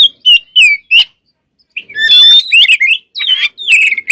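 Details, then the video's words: Loud, rich song from a white-rumped shama, meant as a trigger to rouse other shamas: ringing whistles and sharp, buzzy slurred notes in quick succession, a short silence midway, then a dense tumbling burst of varied phrases. "Suara Burung Kacer Gacor Full Isian, Pancingan Kacer Agar Cepat Emosi"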